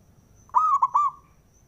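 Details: A single cooing phrase from a male zebra dove, played to excite rival doves: a smooth opening coo, two quick hiccuping notes, then a lingering final coo over faint low rumble.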